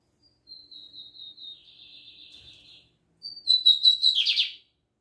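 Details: Lined seedeater (Sporophila lineola) singing a high, thin series of quick notes blurring into a buzzy trill, then a louder ringing phrase ending in a harsh descending buzz; a song type called "Libanês", in Brazil.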